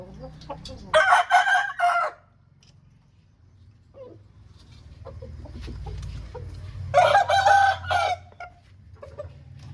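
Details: Two loud, hoarse crows from an Aseel rooster, each about a second long and spaced roughly six seconds apart, over a low steady background hum and a few soft clucks.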